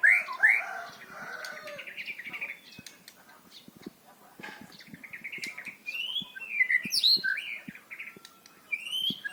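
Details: White-rumped shama (murai batu) in full, loud song, played to prompt silent birds and train young birds to sing varied rather than monotonous phrases: rich whistled phrases with rising and falling sweeps, quick chirps and short trills, broken by quieter pauses.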